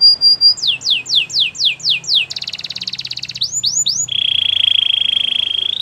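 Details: Canary in song: a high pure note, about seven rhythmic downward sweeps, a rapid buzzy trill, three quicker sweeps and a long steady rolling tour.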